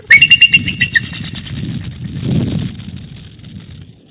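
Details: Bald eagle pair talking at their Big Bear Valley nest at night, 20 February 2018, during changeover, with the female doing most of the calling. A quick burst of sharp, high piping notes is followed by low wind-like rumble.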